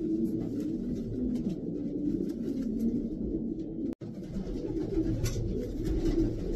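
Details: Racing pigeons cooing in chorus, low, throaty rolling notes run continuously, broken by a brief moment of silence midway, with faint wing sounds.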